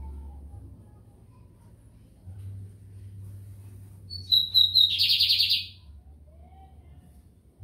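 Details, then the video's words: Lined seedeater in São Luís, Brazil, singing after a quiet stretch: three quick high whistled notes followed by a harsh buzzing trill of about a second, over a faint low hum. "BIGODINHO AMERICANO / 15 MINUTOS SÓ DE CANTO"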